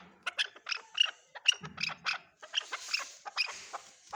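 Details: Chukar partridge, known locally as chakor, giving a rapid series of sharp clucking chuck notes, roughly twelve in four seconds, with a brief low rumble near the middle.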